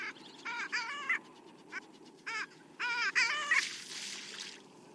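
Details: Long-tailed duck (Clangula hyemalis) display call: nasal, yodelling honks in quick bursts, each with a wavering, bending pitch, over a quiet background murmur.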